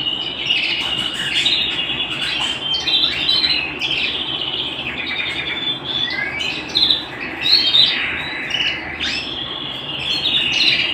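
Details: Canary song recorded at home: rapid varied phrases of chirps, buzzy trills and sharp upward sweeps, tumbling quickly one after another for about eleven seconds, loud and close.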